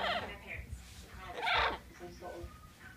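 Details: A pet double yellow-headed amazon wanting attention gives speech-like, harmonic chatter, then a loud harsh squawk midway and softer calls after, in a small indoor room.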